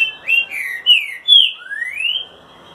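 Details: Green-winged saltator (trinca-ferro) singing in the style called "boi" or "boiadeiro": a short, loud phrase of clear, slurred whistles, with falling notes, then a sharp high note and a long rising whistle, over a quiet background.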